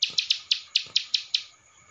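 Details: Masteran song of a ciblek sawah with Cililin fill-in, used to teach other songbirds: eight crisp, high chips in quick succession, evenly spaced, then fading to quiet.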